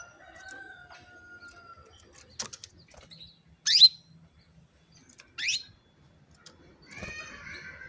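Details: Female canary calling to stimulate male canaries to sing: two sharp, loud, descending chirps about one and a half seconds apart, followed by a burst of softer twittering notes near the end over a quiet background.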